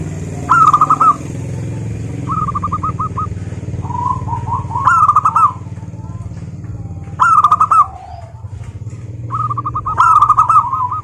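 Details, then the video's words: Local zebra doves singing: several birds trade rolling coos, each a quick run of short hooked notes at a steady middling pitch. One louder, closer bird repeats every two to three seconds over a constant low engine rumble. "suara burung perkutut, GURU VOCAL JITU atasi kutut lokal gacor untuk pancingan perkutut agar bunyi"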